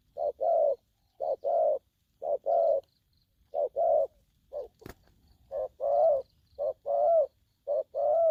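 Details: Young spotted dove calling aggressively in the 'thổ' style: about eight two-part coos, each a brief note then a drawn-out hollow one, spaced roughly a second apart, with a sharp click near the middle.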